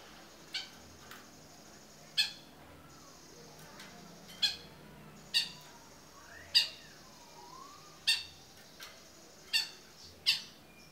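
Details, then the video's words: Long-tailed shrike (cendet) in 'gacor toet miyik' style, used as a tutor recording for other songbirds: sharp, harsh, scratchy notes spaced one to two seconds apart over a steady high thin whine and faint background hiss. "CENDET GACOR TOET MIYIK"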